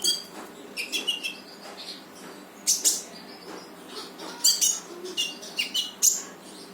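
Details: Energetic brown-throated sunbird song meant to coax a silent bird into singing: scattered high sharp chips and brief trilled bursts, with faint thin whistles over a constant low hum.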